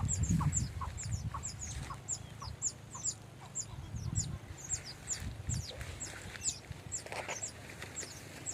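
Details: Baya weaver colony at nests, males and females together: rapid high, sharp chirps repeated many times a second from several birds, over a low rumbling background noise.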